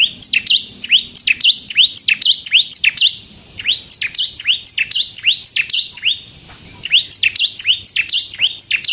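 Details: Energetic song of a bar-winged prinia, known locally as ciblek kristal, played to provoke other prinias: fast repeated high chirps sweeping downward, steady runs interrupted by two short silences.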